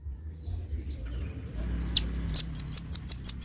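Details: Red-billed leiothrix call used as a training recording for competition songbirds: a single high chirp, then a quick series of six sharp, high, evenly spaced notes, over a low background rumble.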